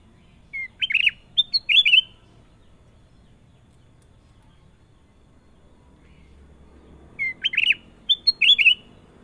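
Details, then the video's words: Bubbly, warbling phrases of a sooty-headed bulbul, sung twice about six seconds apart, each a quick string of rising and falling whistled notes ending in a rolling flourish, with silence between. "KUTILANG EMAS PALING MERDU! Suara Gacor Panjang"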